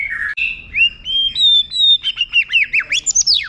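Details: White-rumped shama song used as a tutor recording with long standout phrases for contest birds to copy: a low buzzy note, then a steady rising whistle, breaking into a quick run of sharp, sweeping, downslurred notes.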